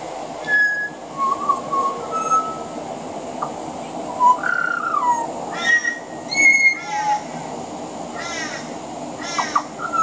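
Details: Pied butcherbird singing from a veranda, with mimicry of other Australian birds in the song: clear piping whistles, a slurred falling phrase, then rasping stacked calls and sharp high notes repeated through to the end.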